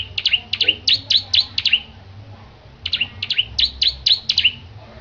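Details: Bar-winged prinia, a caged songbird groomed for contests, gives two bursts of sharp, high, bouncing chirps, about seven notes each, separated by a second-long pause, with low room hum underneath.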